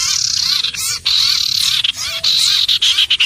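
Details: A common iora gives drawn-out high whistles, steady then gently falling, broken by short scratchy notes, over a constant background of chirping and buzzing.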